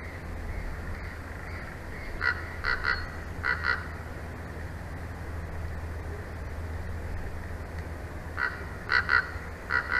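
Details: Bald eagles at a nest in Big Bear Valley, 22 May 2024 at 22:17, home to a mated pair, on a live nest cam; two bursts of high, chirping, chattering notes in quick series, over steady low wind rumble.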